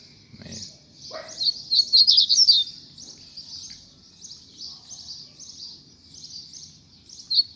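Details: A caged coleiro sings after rain while its keeper stimulates it to loosen up its song. It gives a fast, high, buzzy twittering phrase, then softer repeated chirps, with a brief low human sound near the start.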